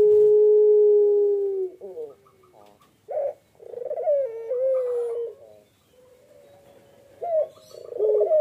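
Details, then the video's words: Barbary dove (puter) incubating eggs gives a long, steady, low coo, then a rolling, broken run of notes and further wavering coos that rise and fall. "PUTER PELUNG NGACOR"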